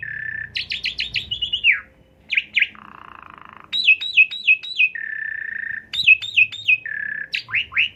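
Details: Asian pied starling song used as a lure to stir up another kept bird: rapid bursts of sharp descending chirps alternating with long steady whistles and a buzzy low trill, loud and clear against quiet background.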